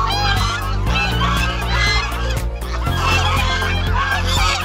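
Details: Ducks with their ducklings at a breeding farm in Muzaffargarh give a steady stream of harsh, nasal honking calls, overlapping and repeated without pause, over a low, droning musical backing.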